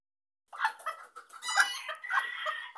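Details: A Sebright hen defends her chicks from a Maltese dog with an alarm call: harsh, rasping squawks and agitated clucks in a rapid, unbroken string.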